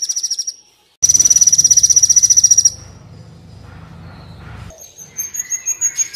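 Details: Sunbird known locally as Kolibri Wulung, in a training recording: brief high trill, a gap, then a long rapid piercing trill over low hum, ending with slower high notes.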